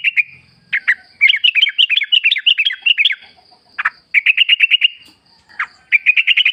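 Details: Wild bulbul (trucukan) song used as a lure: lively chattering phrases of quick whistled notes, then a steady rapid train of clipped repeated notes, brief silences between runs, a faint low buzz early on.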